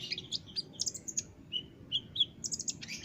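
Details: High-pitched olive-backed sunbird song, a master recording for teaching caged birds: quick twittering clusters interspersed with clear, pure whistled notes and a final burst of scratchy chatter, delivered in an energetic, busy rhythm.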